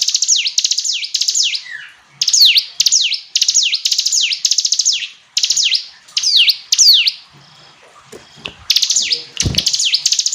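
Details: Hill prinia, known locally as ciblek gunung, singing a clear, loud song: repeated high sharp notes with swooping V-shaped slurs, delivered in bursts about one second long with short pauses, plus a few faint knocks near the end.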